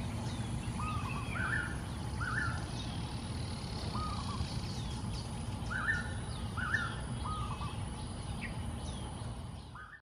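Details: Early-morning raucous calls from a flock of wild golden-backed weavers busy nest building over a pond in Singapore. Repeated short, scratchy chattering notes from several birds over a persistent low hum.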